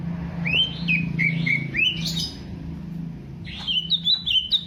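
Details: Greater green leafbird from Alas Purwo, Banyuwangi, a fighting-character bird under mental testing, singing smooth rising whistles that level off in a flowing phrase, then a second bright whistled series after a pause, with low room hum.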